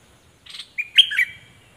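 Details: Cream-vented bulbul used as a decoy bird, recorded 11 July 2021, giving one brief bright phrase: a short buzzy note, then a rising whistle and a sharp upslurred chirp trailing into a thin fading tone.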